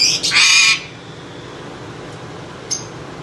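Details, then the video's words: A Moluccan eclectus parrot gives one harsh, grating screech lasting about half a second, followed by quiet and a faint short chirp. "The Moluccan Eclectus Parrot"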